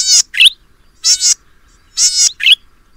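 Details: Golden-headed cisticola, Taiwan endemic subspecies, in Pingtung County, Taiwan, 2015: a loud rasping buzz followed at once by a short liquid rising note. The pair repeats three times, about once a second, in quiet surroundings.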